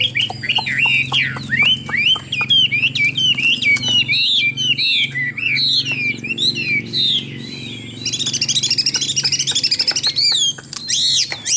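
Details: Chinese hwamei in full song, a loud, varied run of clear whistled phrases that swoop up and down, with rapid slurred notes and a high, fast, twittering passage near the end.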